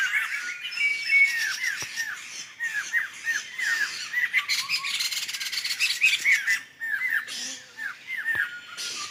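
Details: Several laughingthrushes travelling as a flock through Sumatran forest keep up a noisy chatter of short, falling squawks in quick irregular bursts. A few brief pauses break the chorus, and faint clicks sound in the background.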